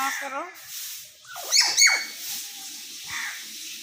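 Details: Talking common hill myna: wavering, speech-like tones at the start, then a sharp, loud, ringing double call and softer murmured syllables trailing off.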